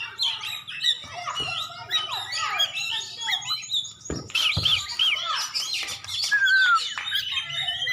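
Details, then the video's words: Competition-winning white-rumped shama from Aceh pours out a fast medley of sweeping whistles, trills and chips, with a clear descending whistle near the end and a few sharp clicks. "Cari setingan Kacer juara"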